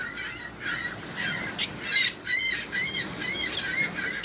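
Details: Seagulls everywhere: a rapid series of short, harsh, slightly downslurred squawks, several birds overlapping, with one higher thin squeal near the middle and faint background rumble.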